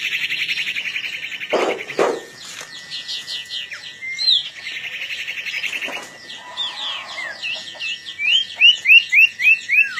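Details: Long-tailed shrike in active song before a contest. Buzzy, scratchy chatter runs into a string of quick rising whistled notes at the end. A steady high tone and faint music sit beneath.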